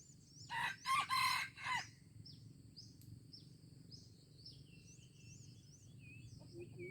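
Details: Junglefowl in Aceh, 25 April 2020, giving a loud harsh crow of four rapid bursts, the final note drawn out. Afterward come thin high chirps and whistles of other forest birds over a low, steady background hum.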